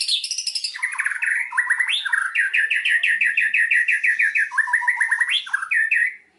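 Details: White-rumped shama song played as a lure to get a silent shama singing its repertoire: a descending opening whistle, then a long, rapid chain of clipped, mid-pitched notes with several rising flourishes, loud and continuous.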